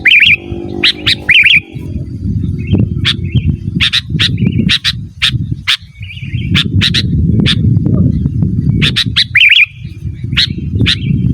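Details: Sooty-headed bulbul call sequence for luring wild birds and training caged ones: short warbled phrases alternate with rapid harsh chips over eleven seconds, a low rumble running beneath most of it.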